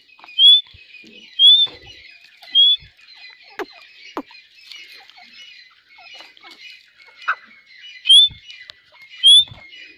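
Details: Grey francolin calling: short, high, whistled upslurred notes repeated about once a second, with faint scratchy clicks and chatter between them.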